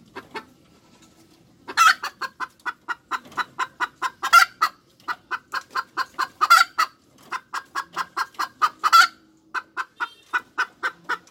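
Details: Hens cackling: a long run of short, sharp clucks in quick succession, broken by four louder, drawn-out squawking notes spaced a couple of seconds apart, with brief gaps between bursts.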